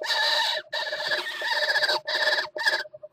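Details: Northern goshawk at its water-tower nest during mating, February 2018; long, harsh, wailing cackles lasting up to a second, broken by short gaps, loud and rasping.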